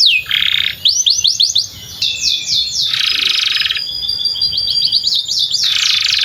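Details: Canary singing beside a field, a song played to teach young canaries: fast rolling trills, dense buzzy rattles and quick runs of sharp descending whistles, loud and nearly unbroken throughout.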